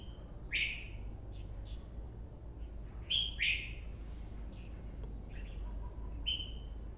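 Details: Red-whiskered bulbul singing in a style likened to an old bird: short bright whistled phrases around the upper-middle pitch range, spaced a few seconds apart, with soft low background hum throughout.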